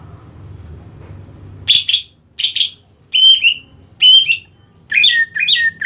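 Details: Greater green leafbird (cucak ijo) said to be in competition-ready condition: loud whistled phrases around 2–4k, bright slurred and overlapping notes given in bursts roughly every second after a quiet opening with low background hum.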